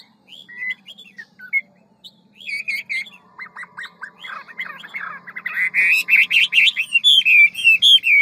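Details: Hwamei, ngũ trường forest-voice song with many voices: soft scattered notes at first, then a short repeated stutter, building into loud rapid rolling warbles and downslurred whistles over a faint low hum.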